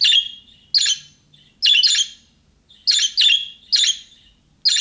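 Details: Budgerigar chirping in the way young birds call, a sound that prompts other budgerigars to answer. Harsh buzzy notes follow each other irregularly, some doubled, each trailing off into a short rasp. No other sounds are heard.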